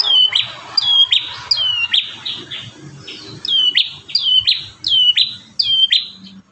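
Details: Bar-winged prinia in energetic song from a master recording of five variations for training caged birds: evenly paced sharp chirps, each sliding down from a bright high start, around eight in a row, fairly clean background.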